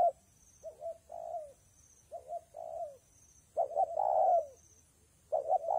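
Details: Spotted dove heard in rain and wind, cooing steadily: soft, low two-part coos that fall away at the end, then a louder burst of quick notes and a long hollow coo.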